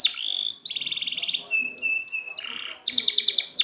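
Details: Rapidly changing canary song for training non-singing birds, mixing a held whistle, buzzy trills, short flat tones and a burst of fast sharp notes.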